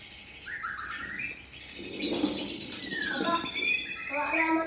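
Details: Male white-rumped shama song: rising whistled notes and a long descending slur, then rapid higher notes, over a steady background hum.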